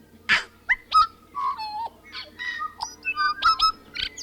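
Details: Loud, close tui song: clear whistled notes, some sliding downward, alternating with harsh crackling bursts and sharp clicks in a lively, irregular sequence. A faint low drone continues throughout.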